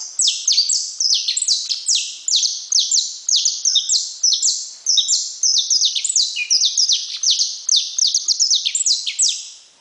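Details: Continuous saffron finch song from a bred bird: rapid chains of sharp high descending chirps, densely packed and energetic, running the whole time with no background noise.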